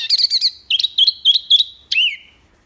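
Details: Clear wambi 'tembakan' burst for training pet songbirds: four quick scratchy high notes, several sharp clipped chirps, then a final drawn-out slurred whistle that fades away.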